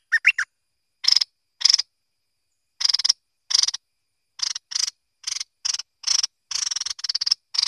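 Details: A merbah lekir or kuning bulbul gives a few whistled notes, then mostly harsh buzzy rasps repeated at uneven intervals, growing denser toward the end.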